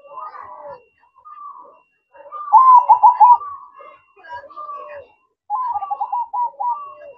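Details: Zebra dove manggung song at night, the loudest phrase a rapid trilled coo, with fainter, softer cooing notes before and after it.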